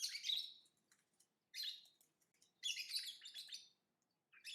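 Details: Lovebird chirping and chattering in harsh, buzzy high bursts, some with a thin whistled tone inside, separated by short quiet gaps with faint ticking sounds.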